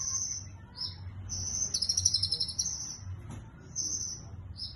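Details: Sunbird singing cililin-style locked training material: long, very high sustained whistles broken by a fast buzzy trill in the middle, then more high whistled strokes, with a faint low hum beneath.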